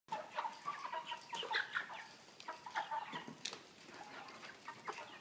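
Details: Caged broiler chickens weighing 3 kg, kept with a pan feeder on a plastic floor, give short clucks and rising chirps that overlap, with scattered clicks and knocks from the cage.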